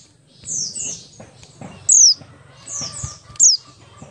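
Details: Ngalas-style song of a Buxtoni Oriental white-eye, meant to prompt other white-eyes to sing: two softer high slurred notes, then a sharp, very high whistle dropping steeply in pitch, the pattern repeated once, with faint background clatter.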